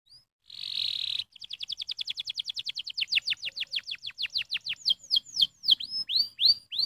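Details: Canary singing a stimulating song: a brief buzzy burst, then a long run of quick descending whistled notes, repeated roughly three per second, slowing into broader down-slurred notes toward the end.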